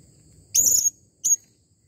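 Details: Blue-crowned hanging parrot (serindit) giving a clear call: one drawn-out, very high, thin, shrill note, then a short matching squeak, over faint low background hum.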